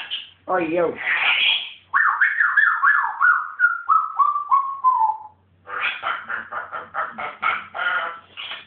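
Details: Pet African grey parrot indoors in a wild mood. After harsh squawks it produces a siren-like run of repeated whistled notes that fall steadily in pitch, followed by a rapid rattling series of squawky pulses.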